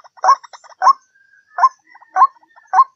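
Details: White-breasted waterhen calling as a lure: loud hoarse notes at uneven intervals, with softer clucks and a thin whistle between them.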